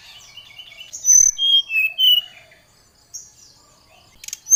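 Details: Oriental magpie-robin in energetic song, used as a lure to call and challenge a rival: a rush of clear, sharp whistled notes, high and descending, then a quiet gap and a few scattered high chirps, with a faint click.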